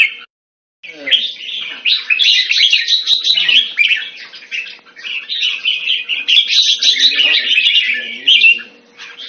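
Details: Red-whiskered bulbul kept in a cage Thai style in Singapore, February 2018. A brief silence gives way to a dense, continuous stream of bright chirping, warbling phrases. Scattered clicks and a low hum run beneath.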